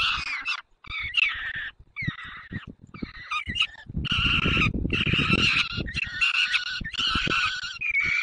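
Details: White stork calling to adopted young at a nest holding one own chick and three adopted ones, Dolina Baryczy, Poland, 9 June 2020, mid-morning; rasping, nasal harmonic calls repeat in bursts about a second long with short gaps, over low rumbling.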